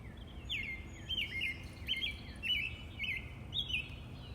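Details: Robin singing outdoors: a series of short, clear warbled phrases, each dropping and flickering in pitch, repeated about every half second over a low steady background rumble.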